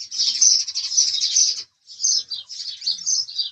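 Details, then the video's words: House sparrow chirping: a long run of loud, rapid high chirps, a brief silence, then a looser series of separate chirps. "house Sparrow Chirping Sound"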